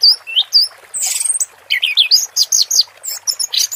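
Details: Orange-headed thrush in 'teler' song alongside water therapy, bright high chirps and slurred notes in rapid series, with a short harsh scratchy burst early on.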